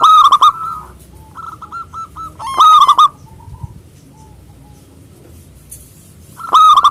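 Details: A local zebra dove, loud and active, sings to call rivals. It opens with a ringing coo, then a run of short repeated notes, a second strong burst near the middle, and a final loud coo.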